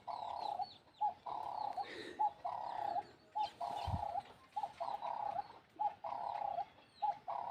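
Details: Wild doves coo in soft, mellow phrases at early morning around a rural Kenyan family compound, each under a second and repeated almost without pause; faint higher chirps from other birds and a brief low thump.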